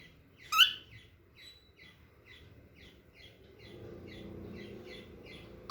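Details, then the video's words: Small, young cockatiel walking for the first time; one loud squawk, then a long run of short, bright chirps repeated about three times a second over low background rumble. "small cocktail walking and making sounds"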